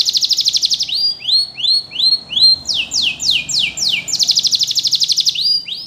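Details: A singing canary, used for song training, delivers a dense buzzing roll, then slow rising whistled swoops, a series of fast descending strokes, and a return to the buzzy roll.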